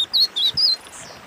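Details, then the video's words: Wing-barred seedeater, used as a warm-up song for training birds: three clear, high, slurred whistles in quick succession, each bending up and down, followed by a fainter tail note. "Esquenta Pintada em 12 minutos!🔥 (SPOROPHILA AMERICANA)"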